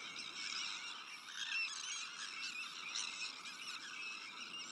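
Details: Nesting colony of Sandwich terns with black-headed gulls, Arctic terns and common terns nearby; a thick chorus of rasping, high, scratchy calls, steady throughout, with occasional louder surges.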